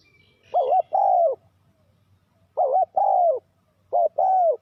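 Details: Lure spotted dove for trapping wild doves, repeating a two-part call three times, a brief quavering coo then a drawn-out descending coo, phrases roughly every one and a half seconds; a faint high chirp at the start.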